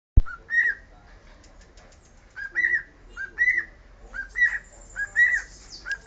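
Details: Pet cockatiel whistling the Sport club anthem: short bright whistled phrases, each rising then falling, delivered in bursts about once a second with brief pauses between, over a low background hum.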